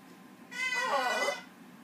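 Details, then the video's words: Pet green-winged macaw singing a duet with a Goffin cockatoo indoors: one drawn-out harmonic tonal note lasting about a second, wavering slightly, over a quiet room. "Macaw sings a duet with a bratty cockatoo"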